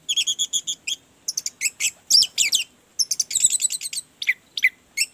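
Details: Orange-headed thrush song for coaxing a bird stuck and lazy to sing. Continuous fast sequence of sharp, high chirps and trilled notes in rapid varied phrases.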